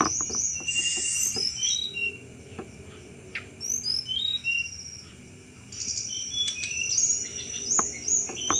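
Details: Sunda robin in full cetrekan chattering song, used as a lure for thrushes: high whistled notes and quick trills mixed with dry ticking clicks, fading quieter mid-clip before a fresh burst of sharp chatter.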